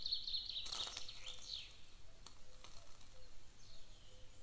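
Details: Two Golden eagle chicks at a nest in Lahemaa, northern Estonia, on 25 June 2024 at breakfast time give thin, high, wavering cheeps in a quick run, then fainter scattered peeps, over soft low rumble and some short lower notes.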